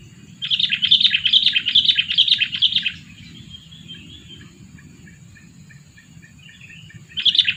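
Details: Sooty-headed bulbul decoy, aged two, used to lure wild birds, delivering a bright rapid chattering phrase of about two and a half seconds, faint distant chirps, then a new burst at the end.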